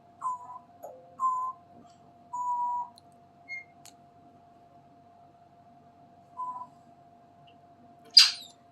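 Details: A female African grey parrot at a summer camp in 2024 gives four flat, steady mid-pitched beeps at uneven intervals, copying a neighbour's large vehicles reversing. A low steady hum runs underneath, and a sharp click comes at the end.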